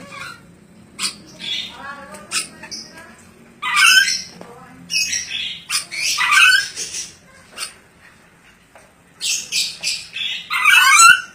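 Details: Ornate lorikeet, described as clever, producing short scratchy clicks at first, then loud grating squawks and shrill screeches in irregular clusters, with quiet gaps between the bursts.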